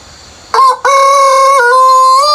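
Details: Rooster crowing in the countryside early in the morning before sunrise: after a short quiet moment, a loud, brassy crow begins with a brief rising note, breaks, then holds a long, steady, drawn-out tone to the end.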